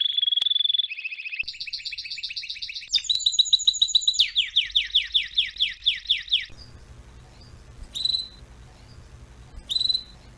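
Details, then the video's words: Canary singing as a tutor for young birds: a fast rolling trill, then rising whistled tours, a loud bouncy series of repeated notes and a run of descending slurred notes, followed by quieter isolated chirps over faint background hiss. "meilleur chant de canari pour l'écolage"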